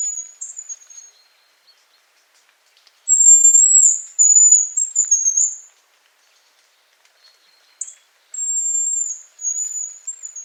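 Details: Autumn whistling of a hazel grouse, Novgorod oblast, Russia, September 2018. Piercing high whistled phrases, each a sustained thin note sliding into shorter wavering pieces, repeated three times with silent gaps between them in a quiet setting.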